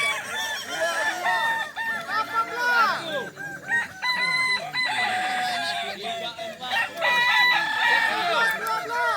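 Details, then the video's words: Crowing contest for Kokok Balenggek chickens at a dairy farm in Solok Regency, many cocks producing long multi-step crows that overlap throughout, with occasional swells as single birds rise above the rest. "Lomba ayam kukuak balenggek di sirukam dairy farm kab solok"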